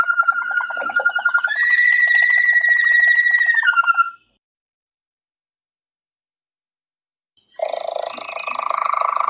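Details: Malinois Waterslager canary song from a CD: a sustained pure whistle that steps up to a higher held note with fast pulsing beneath, a short glide down, a pause of about three seconds, then a dense rolling trill resumes.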